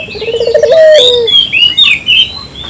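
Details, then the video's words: Single rolled coo of a local dove, used to lure birds, a pulsing trill that flattens into a held note, followed by loud bright whistled chirps of other birds. "suara burung puter lokal jernih"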